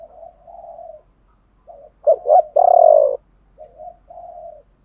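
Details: Spotted dove male and female calling, used to excite trained doves into cooing; faint soft coos, then a strong double note and a long steady hollow coo, ending with two gentle low coos.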